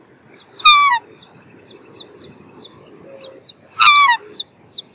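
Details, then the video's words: Black swan bugling twice, each call a strong downward-sliding nasal note about a third of a second long, roughly three seconds apart, with high chirps of small birds scattered between. "Black Swan Bird Call/Song"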